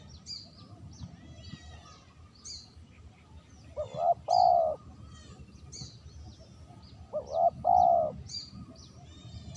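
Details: Spotted dove used as a lure, giving two loud coos roughly three and a half seconds apart. Each pairs a short note with a longer steady one over constant high twittering from smaller birds.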